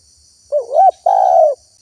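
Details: Spotted dove call played as a lure so wild doves answer and come: one rising, wavering coo followed by a sustained even coo, with faint high background hiss.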